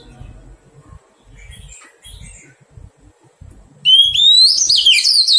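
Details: Wild-caught Oriental magpie-robin being tamed: faint, thin high notes, then a loud clear whistle sweeping upward into a bright, tumbling warble that ends the recording.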